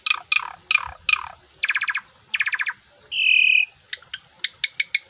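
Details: Asian pied starling in full-isian song: four harsh descending sweeps, then two bursts of dry buzzy rattling, a sustained grating note, and a closing series of short sharp chips.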